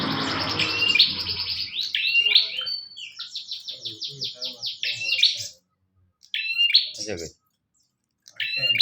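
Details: {'caption': 'Bar-winged prinia (prenjak), singing vigorously, offered as a master recording for training songbirds: a rapid run of sharp, buzzy chirped notes repeated in quick series, then separate bursts after short silences; rustling noise at the start.'}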